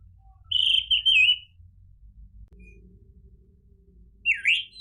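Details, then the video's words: Orange-headed thrush (anis merah) song: one wavering whistled phrase, then a quiet gap with a faint low hum, ending in a sharp rising note. "PANCINGAN ANIS MERAH biar bunyi NYAUT JADI GACOR ikut NGEPLONG"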